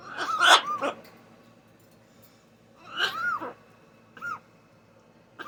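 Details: A female blue-and-yellow macaw (Ara ararauna) gives rough, hacking coughs in three spaced bursts, the first and loudest a double hack, then a short clipped cough. The owner wondered if she was sick.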